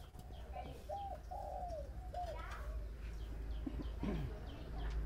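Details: Spotted dove with a voice of the thổ bầu style, giving a few soft, rounded coos that rise and fall, all fairly quiet, with faint rustling and background noise; a person speaks just after.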